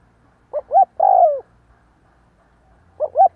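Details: A kept spotted dove cooing as a decoy for drawing in wild doves. Two quick short coos lead into a long, sliding, descending coo. After a pause, a new phrase begins with two short notes.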